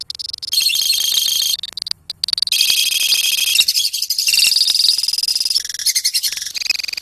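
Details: A lovebird colony sings a long, shrill ngekek chatter in loud stretches of rapid high notes, separated by short choppy pauses.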